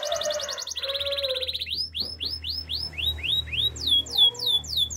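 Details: Canary singing for training. A buzzy roll drops to a lower steady trill, then rising whistled sweeps and falling swooping notes repeat a few times a second over a soft low hum.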